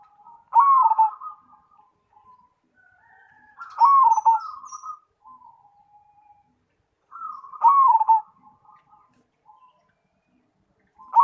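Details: Cemani zebra dove singing steadily: four loud, bright, downward-bending coo phrases roughly every three seconds, each trailed by soft, short coos.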